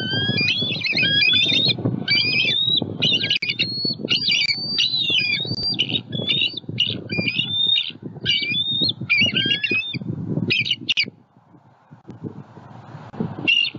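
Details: Nesting bald eagle pair in Southwest Florida, very vocal as a juvenile eagle flies over their nest tree, defending their eaglet; long sequence of rapid, piercing chittering squeals that stops near the end, leaving low rumble.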